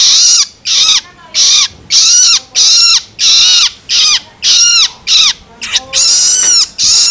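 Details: Loloan begging of a juvenile long-tailed shrike, used to stimulate adults: a long run of harsh raspy calls, short and irregular, some with clear downslurred tones, ending in one longer grating note.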